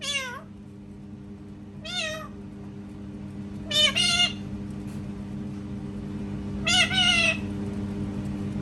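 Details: Parrot making cat sounds, four separate meow-like calls, each a harmonic wail that falls and then lifts, the later ones louder and doubled, spaced a few seconds apart over a low hum.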